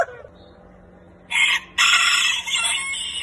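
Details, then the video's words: A heritage-breed rooster (chicken) crows loudly after a quiet start: a short harsh opening note, a brief break, then a long, strained, drawn-out cry. "ROOSTER CROWING"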